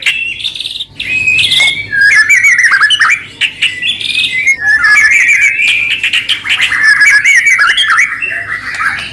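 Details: White-rumped shama delivering varied, tumbling warbled phrases, squeaky and shifting in pitch, used as a lure song to get other shamas singing.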